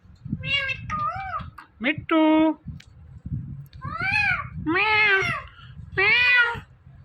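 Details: Talking parrot repeatedly saying "Mithu": loud, harmonic, speech-like syllables, some arching up then down, in quick groups with short pauses, faint low hum beneath.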